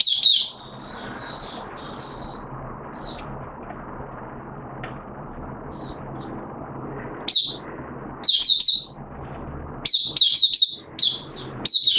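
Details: Oriental white-eye kept in a cage, recorded 13 September 2022 during day two of a monthly deworm course; soft high chirps early, then a long pause and renewed bright, rapid twittering bursts near the end.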